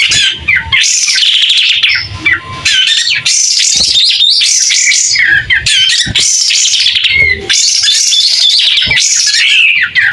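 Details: White-shouldered triller singing energetically while spreading its tail, in clear sound: a continuous stream of rapid, varied high whistles, trills and chattering notes with scarcely a pause over ten seconds, no other clear sounds.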